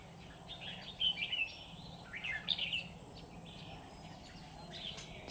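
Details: Red-whiskered bulbul singing as a trap decoy to draw in wild bulbuls. Two lively, slurred whistled phrases about a second and a half apart stand out over faint outdoor hiss, followed by softer notes.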